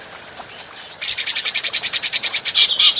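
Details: Adult grey-cheeked bulbul, recorded to train other cage birds. Faint scratchy notes lead into a loud rapid rattle of buzzy pulses, which ends in a couple of squeaky whistles.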